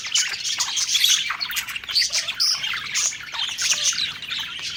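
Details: Happy budgerigars eating together, giving a lively jumble of squeaky chirps, short squawks and fluttering warbles from several birds.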